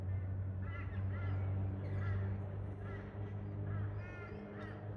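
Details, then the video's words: Wild pair of Australian Galahs (Rose-breasted Cockatoos) in park trees during a pair bonding ritual; short, harsh, ringing chattered notes repeated several times a second in loose bursts over a steady low engine-like rumble. "I heard a strange sound at the park... then I saw THIS 😳🦜 (Wild Galah Romance)"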